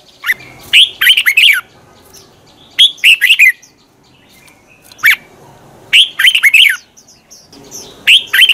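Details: Red-whiskered bulbul morning song in the twisting-voice style, used as a lure to train birds and provoke rival bulbuls to sing in competition; bursts of bright, chattering, warbled phrases come in quick clusters with short pauses between them.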